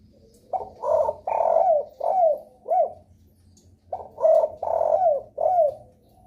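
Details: Spotted dove cooing as a lure meant to set other spotted doves calling: two phrases of four soft, hollow coos each, some notes drawn out and sliding downward, separated by a brief pause, faint low hum behind.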